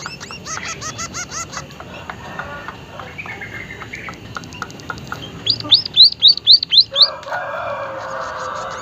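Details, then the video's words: White-headed munia (Lonchura maja), called emprit haji, giving strange calls: quick high ticks, a pause of softer notes, then six loud thin arched whistles in a fast row, followed by a broad rushing noise. "emprit kaji haji gacor suara aneh"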